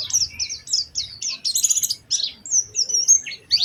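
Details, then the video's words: Oriental white-eye singing actively in a special melodic style, used as a lure to prompt other white-eyes to sing: rapid high, thin chirps and slurred whistles in a quick, irregular run, with one denser buzzy burst midway. "Pancingan Burung Pleci Gacor Cengkok Istimewa"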